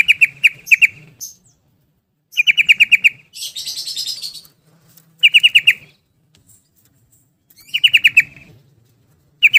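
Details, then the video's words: Yellow-vented bulbul in ropel style, repeating bursts of five or six ringing notes every two to three seconds, broken once by a longer harsh, buzzy rustling sound. "Trucukan Gacor bikin Gelisah Geram Semua Trucuk jadi Ropel Gacor"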